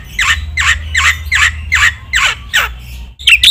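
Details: Black-winged myna on a masteran training track meant to provoke other mynas: harsh, descending squawked notes about three per second, then two higher sharp notes at the end.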